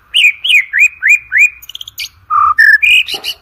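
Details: White-rumped shama (murai batu) singing for contest-bird training: five evenly repeated upslurred whistles, a rapid high ticking, then lower and higher clear whistles ending in a harsh burst.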